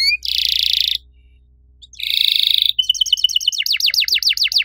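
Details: Canary in active riwik song, cuit cuit phrases shooting long: two harsh buzzy rolls separated by near silence, then quick high chirps flowing into a run of falling swept notes.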